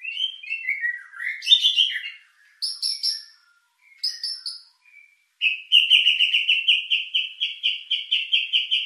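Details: White-rumped shama lure song with a luxurious filler, intended to stir emotion and breeding drive: descending chattering phrases and sharp high notes separated by pauses, then a loud rapid trill of evenly repeated buzzy notes.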